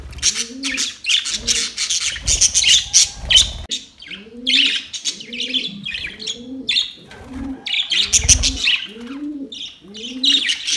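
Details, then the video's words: Several budgerigars talking to each other: dense, scratchy high chirps and warbles in bursts, mixed with a low, soft cooing call repeated about once a second throughout. "Budgies talking to each other"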